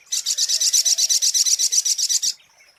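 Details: Lure song of a Brown-throated sunbird: a steady, very high, rattling trill of evenly spaced buzzy notes lasting just over two seconds, then silence.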